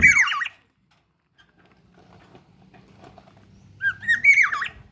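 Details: Black-naped oriole, a local Kepodang from Ijen, Bondowoso, recorded in the morning: two loud fluting whistled phrases with a swooping, wavering shape, one at the start and one near the end, separated by quiet low background hum.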